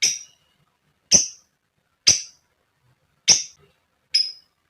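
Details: Female lovebird heard as a lure for other lovebirds to sing: five harsh, piercing chirps about a second apart, the last thinner and more whistled.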